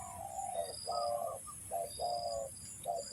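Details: Spotted dove used as a trapping lure, uttering four to five short, mellow coo notes evenly spaced, low and hollow, with a pulsing high-pitched background tone.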